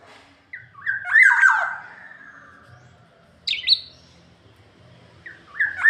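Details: Black-naped oriole giving loud, liquid slurred whistles that rise and fall, followed by a higher squeaky note, then another fluty phrase after a pause.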